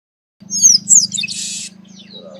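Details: Chestnut-capped blackbird singing in the sertão of Bahia, northeastern Brazil: high thin whistled slurs, then a dense buzzy burst lasting about half a second, over a steady low droning hum.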